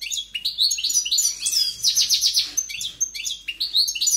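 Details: Strong-voiced goldfinch delivering a dense twittering song: quick chirps and slurred whistles, a rolling buzzy trill in the middle, then more clipped upslurred notes, loud and unbroken.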